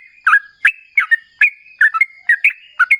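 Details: Sooty-headed bulbul, trucukan, lure song for drawing replies: short burry whistled notes, singles and doubles, spaced about every third of a second over a faint steady tone.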